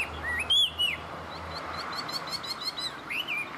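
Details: Tame Chinese hwamei singing well: a few clear, slurred whistled notes rising and falling, a fast run of short high chirps, then another bright whistled phrase, over faint steady background hiss.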